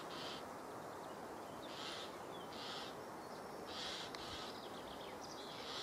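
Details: Great spotted woodpecker (Dendrocopos major) giving sharp, high calls about once a second over a steady hiss of background noise.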